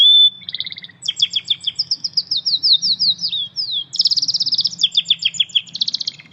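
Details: Canary in nature singing a long, continuous, high-pitched song of rapid rolling trills, sweeping whistles and buzzy runs, with faint low background rumble.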